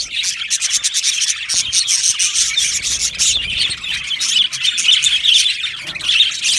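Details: Aviary budgie colony keeps up busy chirping: rapid high tweets and warbled notes run on steadily, many birds calling at once with small swells in loudness.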